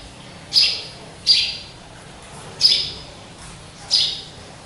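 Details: Captive sparrow, possibly a hybrid, calling from its own cage hung high: four clear, sharp high chirps roughly every second, with nothing else heard but a soft hum.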